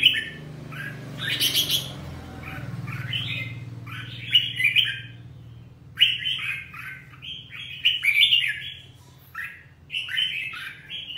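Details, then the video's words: Song of a red-whiskered bulbul: chattering, slurred whistled phrases repeated in clusters over low background rumble. "chào mào hót hay"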